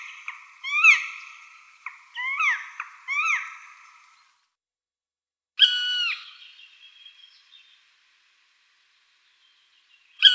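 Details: Black woodpecker giving short, downward-slurred calls: three quick notes in succession, a pause, a single longer note trailing off, then another note right at the end.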